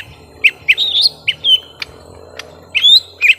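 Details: Lesser green leafbird, young, fighting a rival: short bursts of shrill slurred whistles and chips separated by brief pauses, with a faint low hum beneath.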